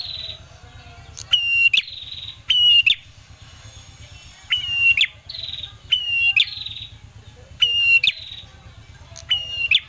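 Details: Repeated ashy tailorbird phrases played as a lure to make birds sing. A sustained high whistle ends in a sharp stuttering trill, about six times in ten seconds, with a buzzy upper note between phrases and a low hum.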